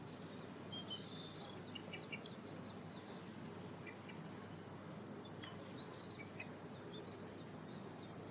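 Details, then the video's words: Dunnock (Prunella modularis) recorded in the wild, giving thin, high, piping notes, about eight over several seconds at an uneven pace, against a soft background hiss. "Dunnock Sound – Song & Bird Calls"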